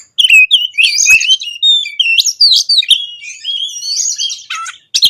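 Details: Oriental magpie-robin pouring out konslet-style song full of varied phrases, played to get quiet birds singing: bright whistled slurs, buzzy chatters and a long drawn note in steady, dense succession.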